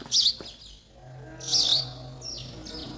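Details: Baby sparrows in the nest awaiting food from mother and father, giving two loud, high, scratchy chirps followed by softer fading cheeps over a low steady hum.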